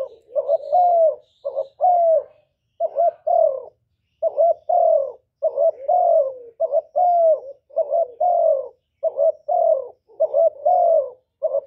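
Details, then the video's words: Spotted dove song meant to prompt kept doves into singing, a long steady series of rolling coos, each short note followed by a longer downslurred one, repeated almost every second; a few thin high chirps early on. "Cu gáy lớn tiếng, không tạp âm, giọng hay dễ mở, cu gáy kích bổi, cu gáy đi bẩy, cu đất gáy, cu cườm"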